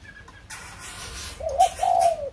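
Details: A white-crested laughingthrush sings two rich, low whistled phrases, the first brief, the second longer and wavering slightly before falling away, over a soft hiss.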